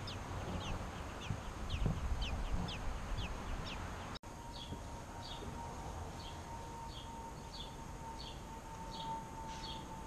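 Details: American robin young begging during feeding by the parents: quick high downward squeaks repeated about three times a second, with a steady low hum entering partway through beneath the calls.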